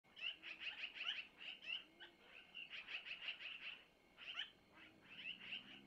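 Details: Long-eared owl owlets at a nest in Missoula, recorded by a nest camera around 5:05, begging as their mother takes food from the male to feed them; clusters of rapid, squeaky, high chirps in quick bursts with short pauses.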